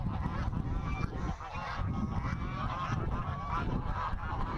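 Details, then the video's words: Boisterous flock of domestic geese honking on a farm during morning chores in late August, possibly fighting or mating; harsh honks overlap throughout against strong gusting wind that roars through the recording. "Tell you, these geese, they're a boisterous bunch."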